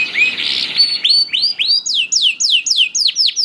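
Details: Young canary song played to prompt silent canaries to sing; opens with a rough buzzy phrase, then a steady series of loud upward-hooked whistled notes repeated about four per second.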